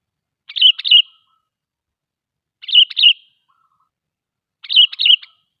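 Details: Sooty-headed bulbul song, used as a lure to prompt other bulbuls to sing and to draw wild birds near in the forest: three short, lively phrases of two quick bubbly notes each, spaced about two seconds apart, clean background.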